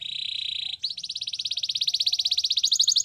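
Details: Canary singing: a steady high buzzing trill gives way to a rapid run of bright repeated notes, about four per second, climbing slightly higher near the end.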